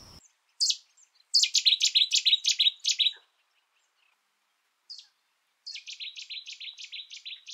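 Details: Song of Cettia cetti, Cetti's warbler: two loud outbursts of fast, emphatic repeated notes, each opened by a short separate note. The first phrase runs about two seconds, followed by silence and then a second, slightly softer phrase.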